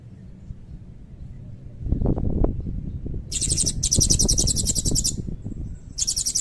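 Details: Blue-crowned hanging parrot (serindit) singing actively in the long 'cililin' fill-in style, used to tutor magpie robins and white-rumped shamas. After a low rumbling start, shrill, very high buzzy trill bursts come in rapid runs from about three seconds.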